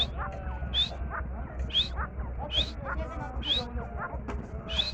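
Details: Grey francolin, locally called Dakani Teetar, calling: a loud rising whistled note repeated roughly once a second, each followed by lower chattering notes, with a background murmur.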